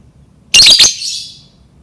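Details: Lovebird voice meant to coax other lovebirds into singing: one brief, shrill, rasping double chirp, high and harsh, fading quickly into a quiet room.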